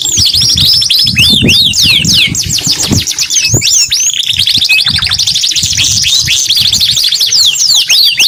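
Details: Canary in full, vigorous song: rapid high trills and fast up-and-down whistled sweeps, one short flat note standing out midway, with occasional low thumps and a rumbling background.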